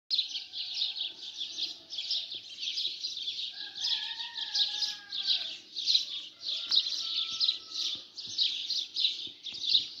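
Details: Morning sparrows chirping together as a dense, continuous chorus of high, rapid twittering notes that pulse in overlapping bursts; faint lower drawn-out tones slide briefly through the middle, with occasional soft clicks.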